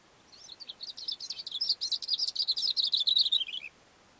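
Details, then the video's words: A song of the Cape grassbird, given from a rock on a mountain slope. A three-second string of rapid, varied high chirps rises in volume and finishes with a short downward slur. "Cape Grassbird singing"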